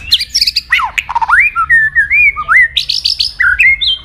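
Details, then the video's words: White-rumped shama fighting song, used to rouse and train birds: a rapid run of varied whistled notes, sharp downward sweeps and slurred rising phrases, ending in clear high whistles, with no other sounds. "chòe lửa hót đấu"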